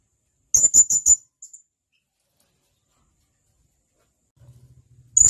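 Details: A male blue-crowned hanging parrot, calling to companions, gives a quick run of four sharp, high-pitched notes and a faint trailing note. A low hum follows, then another piercing note at the end. Recorded for training songbirds.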